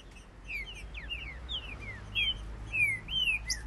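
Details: Rival green-winged saltator males in a singing dispute: a steady stream of clear whistled notes, slurred up and down, coming in rapid irregular bursts over low background hum.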